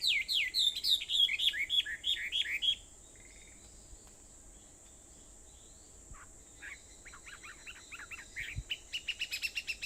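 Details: Birds singing on Aobayama in Sendai, Japan, at 4:30 in the morning on 21 July 2014: a rapid run of repeated high chirped notes, a pause, then a second bird's quicker series of short rising notes.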